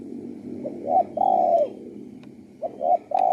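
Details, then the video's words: Low-pitched cooing of a spotted dove: two short notes leading into a long, slightly falling coo, repeated twice with a steady low rumble in the background. "BIRD SINGING"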